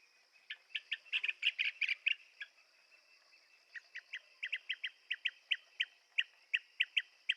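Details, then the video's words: Blue-tailed bee-eater calling: a dense burst of rolling chirps, a brief pause, then an even run of clipped notes about three per second, over a constant high-pitched insect hum. "Tiếng chim Trảu đuôi xanh - Blue tailed Bee eater"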